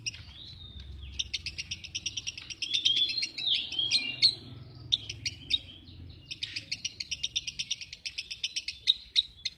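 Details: Lovebird chattering in long, fast, buzzy chirp sequences, two extended bursts separated by a short break, notes sharp and high-pitched with occasional louder squeaks.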